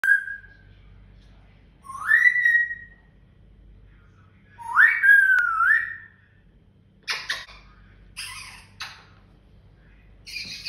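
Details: Pet African grey parrot in the morning, in a lovely mood: three clear whistled phrases, the last rising then dipping and wavering, followed by a few short noisy bursts.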